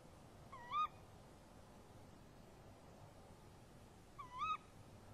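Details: Tawny owls calling to each other at a nest box in the early hours of 23 March 2015: a crisp rising kewick, silence, then a second identical call nearly four seconds later.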